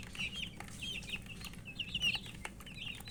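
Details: Baby chickens chirping from thirst for water; a few clear, high peeps in short groups of two or three, each a quick downward slur, over a low steady hum.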